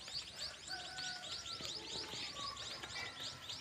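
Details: Nestling birds calling from inside their nest: dense, quick, high-pitched cheeps repeated several times a second in an overlapping chorus, a soft steady whistle running underneath.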